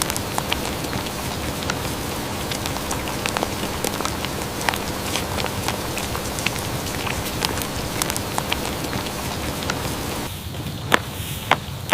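Steady patter of rain with sharp drips and crackles over a low hum; no animal calls are heard.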